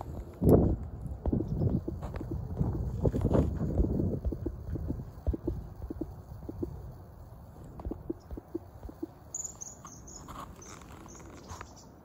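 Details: Common kingfisher at the Zenpukuji River in Suginami, Tokyo, recorded on a smartphone with a telephoto lens; a quick burst of shrill, thin, high whistled notes comes near the end, after low thumping and handling noise.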